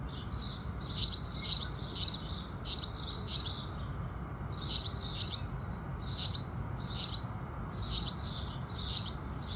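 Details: House sparrows singing in the morning with the rising sun, with no background music. Bright, harsh chirps come in quick bursts of two or three, repeated through the clip over a steady low rumble.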